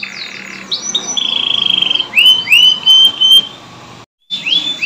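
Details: Canary song used as a lure to coax stalled canaries back into singing: high sweeping chirps, a fast even trill, then loud rising whistled slurs repeated in quick succession, a brief abrupt silence, and a final upward sweep.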